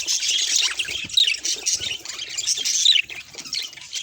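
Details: Budgerigar vocalising in captivity, a recording of its call types such as the 'gigigi' grinding call and the affectionate call; busy squeaky, scratchy warbling with quick chirps, louder bursts near the start and just before a short lull.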